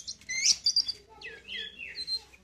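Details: Oriental magpie-robin eager for a rival, even squaring up to its keeper; bright high whistled chirps and rising-falling slurs in quick succession, with faint voices behind.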